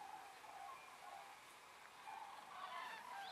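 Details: Common cranes, among the first of the season on Rügen, flying after sunset at dusk to roosts on Ummanz island, west Rügen, where over 20,000 gather; faint overlapping trumpeting calls from a distant flock, loud chatter continuing throughout with steady background hiss.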